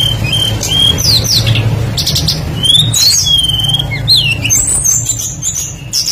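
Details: Active tledekan lure song full of mimicked phrases. It has rapid high whistled sweeps, a long falling slur and scattered chips, with a constant low-pitched drone underneath.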